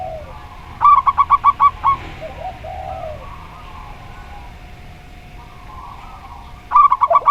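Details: Local zebra dove song: a quick string of seven short, evenly spaced cooing pulses, followed by soft, low coos from another dove. The staccato series returns at the end.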